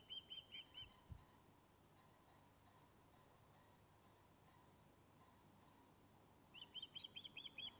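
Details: Returned osprey fish-calling on the nest at Loch of Lowes, Scotland: a short series of high, ringing chirps, a long pause with a faint low thump, then another rapid whistled series.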